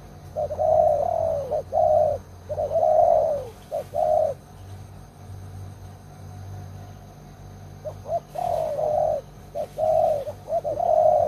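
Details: Old decoy spotted dove, prized for its loud voice in luring wild doves, cooing in a run of long and short notes, falling silent for several seconds, then starting the sequence again.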